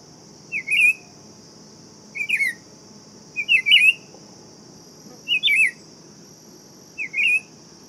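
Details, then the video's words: Buff-throated saltator repeating five trilled, wavering whistles roughly every one and a half seconds, over a continuous high-pitched insect drone. "Canto do Tempera Viola Saltator Maximus"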